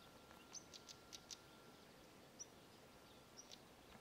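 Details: Stonechat (Saxicola torquatus) on 11 June 2023 at Ljubljana Marsh, Slovenia, calls faintly: four thin, high whistles about a second apart, mixed with hard, dry tacking clicks, over steady background hiss and a low hum.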